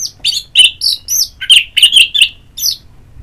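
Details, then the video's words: Ngeplong therapy song of an orange-headed thrush, meant to coax singing: a loud, varied run of short bright chirps and twittering high notes in quick bursts, with brief pauses between phrases. "Pagi Siang Sore Terapi Ngeplong Untuk ANIS MERAH Malam ya Tidur Merangsang untuk Bunyi"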